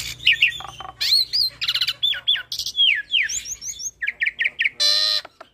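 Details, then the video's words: Hybrid starling singing a full, varied song used for tutoring songbirds such as pied mynas: dense run of whistled upslurs and downslurs, harsh buzzy bursts, quick repeated chirps and a final rasping squawk, with a faint low hum behind. "Jalak Silangan gacor Full Isian Pas Untuk Masteran Jalak Suren dan Burung Kicau lainnya"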